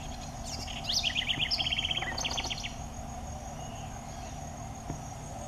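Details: Southern house wren (curruíra) giving its cheerful, melodious song: a bright burst of high notes runs into a rapid, evenly repeated trill, then a few scratchy notes, over a steady low hum and background buzz.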